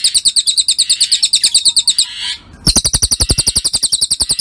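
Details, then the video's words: Cililin training recording for songbirds: fast, shrill, doubled chirps tumbling in quick succession, a brief pause midway, then the rapid series resumes. "Masteran Burung Cililin"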